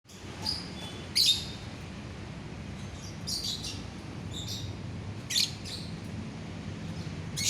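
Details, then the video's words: Lovebird, 9 December 2021: brief shrill high chirps spaced about two seconds apart, with quiet gaps between and a low steady background hum. "suara burung lovebird"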